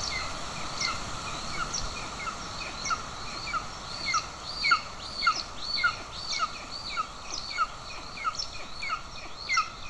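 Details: Golden eagles at a nest in Estonia on 20 June 2024, the father with a bird as prey while the mother feeds an aggressive chick; thin, downslurred chirps repeat irregularly, about two per second, over a steady background hiss.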